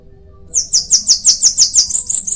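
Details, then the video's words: High, thin buzzy song of a Bananaquit: about ten quick repeated notes at a steady rhythm, slightly rising at the end, with a faint low hum underneath. "Cambacica| Sibite|tietê|mariquita|chupa-mel|til |sebinho |caga-sebo|chupa-caju| guriatã canto"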